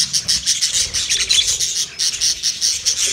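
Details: Budgerigar mating call: continuous loud, bubbling high warble of quick chirps and squeaky notes, pulsing rapidly throughout with hardly a pause.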